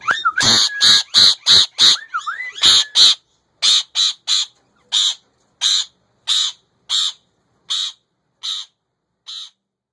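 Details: Male ringneck parakeet kept as a pet, giving short harsh squawks repeated roughly every half second, several opening with curving whistled notes, the later calls spaced more widely and ending after about nine seconds.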